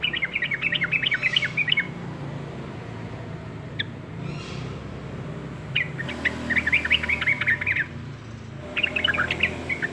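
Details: Yellow-vented bulbul singing in three separate bursts of rapid, jumbled, bright notes, with a soft whooshing noise and a single click in the gaps between phrases.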